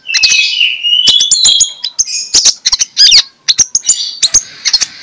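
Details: Magpie-robin singing in the ngeplong style in the morning, played as a lure to make quiet magpie-robins sing: a long level whistle, then quick varied whistled phrases mixed with sharp clicking, ticking notes.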